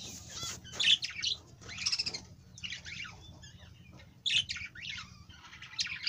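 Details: Budgerigar uttering separate bursts of sharp chirps and rasping squawks with short pauses between them, against a low constant hum.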